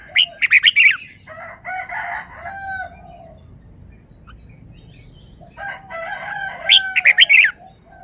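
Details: Red-whiskered bulbul performing its song phrases: an opening burst of sharp, bright whistled notes, then a softer chattering warble. After a quiet gap, another rich phrase builds to ringing high notes, with a faint low background hum.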